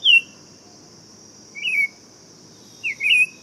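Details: Buff-throated saltator uttering three bright, slurred whistled phrases, the last a doubled note, beneath a steady high insect hum.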